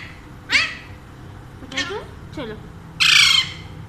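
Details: Pet Alexandrine parakeet, one of a pair said to talk in Urdu and Hindi. Several short, falling, rasping calls lead into a loud, broad screech lasting about half a second.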